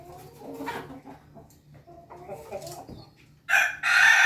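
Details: Ayam Ketawa laughing chicken crowing on a Monday morning: soft low clucks and murmurs, then a sudden loud, harsh, broken crowing burst in the final second, over a faint steady hum.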